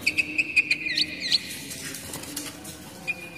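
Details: Oriental magpie-robin song, used to lure young wild birds and help moulting birds sing: a rapid series of short clipped notes, a few rising whistles, then quieter background and one last sustained whistle.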